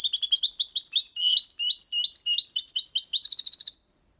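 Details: A six-month-old European goldfinch sings a clean Malaga-copy song used to train young birds: a fast, tinkling run of bright twittering notes and liquid trills, ending in a quick buzzy rattle before stopping.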